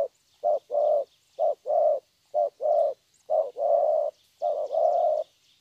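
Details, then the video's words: Young spotted dove from Vietnam, a wild-caught bird with a fine 'thổ' voice: five short-long coo pairs, soft and low, the long notes broad and even. "Thổ tốt tiếng.(chim tơ)"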